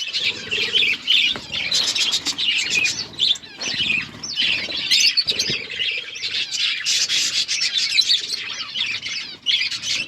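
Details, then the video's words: A group of budgies chirps nonstop while eating, giving a thick, scratchy warbling chatter of rapid high notes with occasional sharp clicks from feeding. "Budgies eating food birds chirping sounds"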